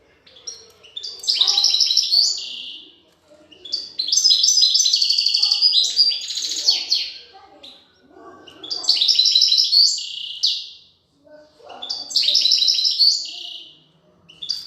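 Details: Female European goldfinch feeding her chicks; four loud bursts of rapid, buzzy high chatter, each one to three seconds long, with quieter lower sounds between.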